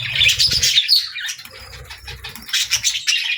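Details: Budgerigars singing: busy chattering warble of high chirps and squeaky notes in two loud bursts, with a quieter stretch in between and some low thumps.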